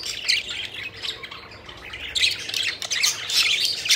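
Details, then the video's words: Budgies at play while flying, with rapid, irregular grating chirps and squeaky warbles, a short lull at the midpoint, then a louder chattering flurry. "Budgies Having Fun: Playful Birds Flying and Chirping Joyfully"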